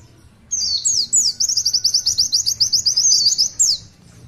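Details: Oriental white-eye in long tulitwitwit gacor song, opening with a few slurred whistles and running into a brisk series of roughly fifteen high, twittering notes before a closing downward whistle.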